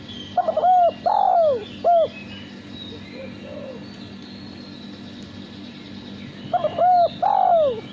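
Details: Male spotted dove cooing, a pet bird whose voice is sought for contests; one phrase of short coos with a long falling coo opens the recording, then quiet, then the phrase repeats about six seconds later.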